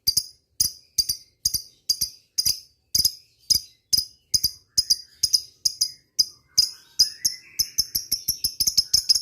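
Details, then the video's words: Lovebird ngetik ticking used as a lure for rivals: crisp high clicks in spaced pairs, speeding up into a rapid series near the end. "suara burung lovebird ngetik ngekek"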